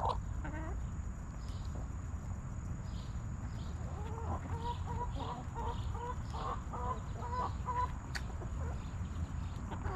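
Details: Backyard chickens clucking in their coop: an early squawk, then a steady series of short, evenly spaced clucks across the middle seconds, set against constant low-pitched background rumble.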